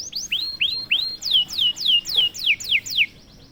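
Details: Kenari canary singing right after one prompt: about ten loud, clear sliding whistles, the first rising and the later ones falling steeply, delivered roughly three per second.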